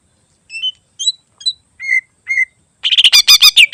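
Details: Mimicking greater green leafbird song meant for training other birds. Five short whistled notes come about half a second apart and fall in pitch, then give way to a loud, rapid, buzzy chatter.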